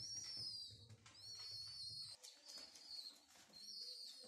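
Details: Homing pigeon chicks taken from a renovated mosque minaret and hand-fed without their parents, giving thin, high, sustained whistled squeals in long drawn-out strands, with soft low rumbling handling noise in the first half.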